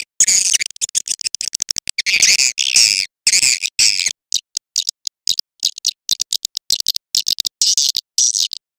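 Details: Swiftlet call played to draw swiftlets into a crowded swiftlet house, billed as clear: bursts of high, buzzy chattering chirps broken by abrupt silent gaps, with rapid clicking pulses between.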